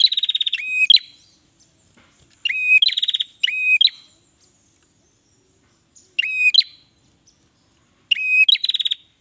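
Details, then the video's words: A bar-winged prinia in energetic song gives loud, high, rapid bursts of sharp chipping notes over a trilled base, repeated every two to three seconds, with quiet between phrases. "prenjak gacorrr"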